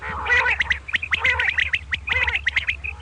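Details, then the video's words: Double 'kirk karkar' call of common quail at morning: loud harsh, nasal, squawking bursts roughly once a second, with quick high notes between them. "Common Quail Calling Batair Ki Awaz | Suba Batair Lagty Waqte Ki Awaz | Double Batair kirk Karkar"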